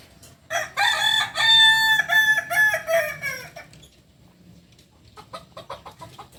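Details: Kukuak Balenggek cock, a singing fowl native to Solok in West Sumatra, crows loudly for about three seconds in a chain of stepped, ringing syllables. Soft clucking notes follow after a pause.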